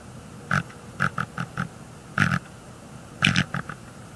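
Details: Bald eagle at a nest in northeast Florida in early January, defending her eggs at night by calling and wing slapping at an unseen threat; short rough notes in quick uneven bursts over a low steady hum.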